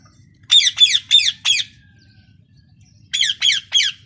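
A parrot gives harsh, grating squawks in two quick bursts, four and then three, each about a third of a second apart, over a faint low hum.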